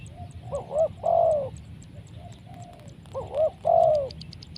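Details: Spotted dove with a big voice and big body, recorded while trapping birds with a decoy; two deep coo phrases, each a short double-humped note followed by a long, loud, falling coo, about two seconds apart.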